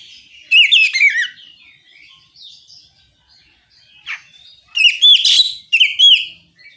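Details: Oriental magpie-robin singing ngeplong to draw replies from other magpie-robins. Two loud phrases of looping, bouncy whistles fall downward, with faint soft twitters and a short scratchy note between them.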